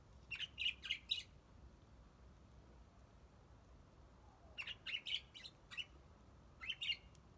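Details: Budgerigars in an aviary, giving short bright chirps around two to four kilohertz in quick bursts of three or four notes, a pause of several seconds, then more clustered chirps; faint low background hum.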